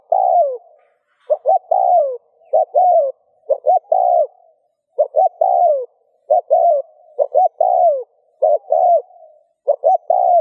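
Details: Spotted dove cooing, played to stimulate other doves to coo, in the rút bổi style: phrases of two short clipped notes followed by a longer drawn-out falling coo, repeated about nine times over ten seconds, with quiet gaps.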